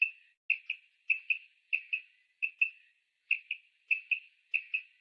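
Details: Female common quail (Coturnix coturnix) call, used as a lure to attract and catch male quail: soft, high paired notes, two quick calls about every half second in a steady run, nothing else audible.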